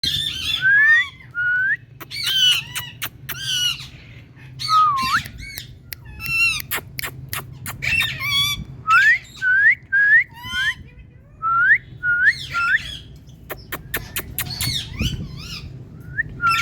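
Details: A female pet rose-ringed parakeet copies a cat, giving rising, meow-like whistles between harsh screeches.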